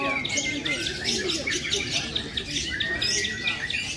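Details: Lovebird competing in a lovebird fighter singing contest session at a national meet in Borobudur; rapid high, scratchy chattering trills in dense bursts throughout, with a thin whistled tone, over crowd voices and other birds.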